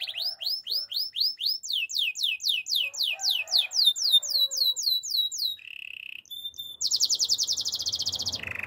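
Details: Spanish Timbrado canary singing: a run of quick descending whistled notes repeated about four per second, then a brief steady tone, a short pause and a fast, dense, buzzy trill ending on a lower note.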